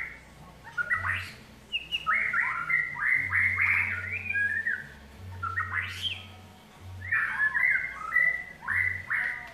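White-rumped shama singing quick bursts of rich whistled and scratchy notes that slide up and down, with brief pauses between phrases, over a low intermittent hum.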